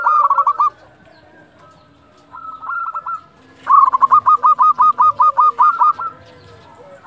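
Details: At dusk a local zebra dove calls to stimulate quiet birds: a short clipped phrase, then a long steady string of about twelve rapid cooing notes, with faint doves calling behind.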